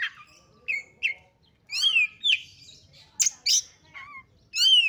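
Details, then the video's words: Oriental magpie-robin singing in a highly excited state, meant to stir other magpie-robins into song; varied phrases of sweet whistles, rising and falling slurs and sharp harsh notes, separated by short pauses. "KACER GACOR FULL EMOSI TINGGI// JOSS UNTUK MENDONGKRAK KACER LAIN AGAR CEPAT EMOSI DAN GACOR FIGHTER"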